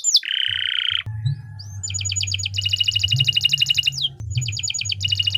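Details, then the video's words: Canary in long song for teaching other birds: a buzzy harsh note, then a rising whistle leading into a fast even trill of high notes, broken and resumed, over low steady hum. "3 Suara Burung Kenari II GACOR PANJANG Cocok untuk Masteran"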